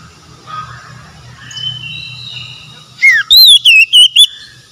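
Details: After a few seconds of soft background noise, an Oriental magpie-robin gives a strong phrase: a downward-slurred whistle and five quick, rolling whistled notes; from a therapy recording for stressed, mute birds.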